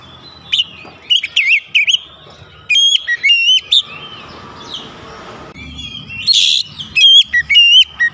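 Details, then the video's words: Kacer, the oriental magpie-robin, roused to agitated song by a provoking lure: rapid clusters of bright, slurred whistles and metallic chips, short phrases repeated about every second, with faint hum between bursts. "pancingan Kacer langsung emosi"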